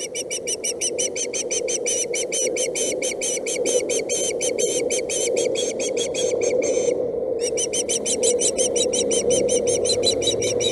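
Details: Osprey chick at a Boulder County nest camera, dated 8/7/17, objecting when its mother brings a stick instead of fish: rapid, insistent series of sharp whistled chirps, several per second, over a steady low electrical hum, with one brief pause.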